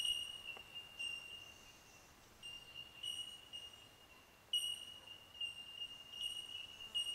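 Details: A colony of bell miners along a bush track around Narooma keeps up a steady chorus of pure, high, bell-like 'tink' notes, many birds overlapping so the ringing barely pauses.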